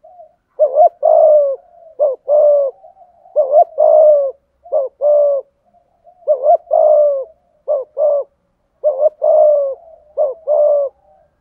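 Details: A spotted dove delivers its whole 'giọng thổ' song, 'thúc gù': a long series of soft, hollow coo pairs, a clipped note then a sustained downslurred coo, repeated roughly every second or two.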